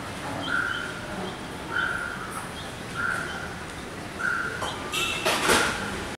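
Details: Parent red-vented bulbuls calling over their 10-day-old young, grounded after its first flight from the nest. A series of short, flat mid-pitched notes roughly every 1.2 seconds, with faint higher chirps and a brief rustle near the end.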